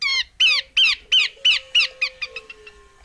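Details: Harsh scolding series from a female Horsfield's babbler: loud rasping notes roughly three per second, each slurring downward, slowing and weakening toward the end, with a faint low whistle underneath.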